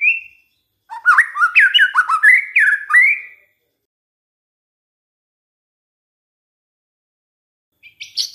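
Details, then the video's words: Short burst of white-rumped shama song from a lure recording meant to provoke other shamas: a brief whistle, then around three seconds of quick bouncing slurred notes, a long silence and faint high notes at the end. "DICOBA PANCINGAN MURAI INI, pasti murai tak tahan diam"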